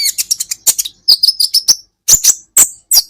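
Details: Olive-backed sunbird, or kolibri ninja, from a masteran training recording: loud, very high staccato chips in quick succession, breaking into sharp squeaky phrases separated by short gaps.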